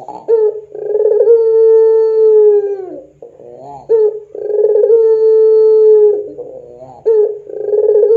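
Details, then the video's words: Domestic puter pelung dove cooing, used as a lure recording for training doves: three long drawn, steady mid-pitched tonal coos, each about two seconds, each opened by short rough rolling notes, in a quiet room. "SUARA PANCINGAN PUTER PELUNG GACOR COCOK UNTUK MASTERAN PUTER PELUNG apapun"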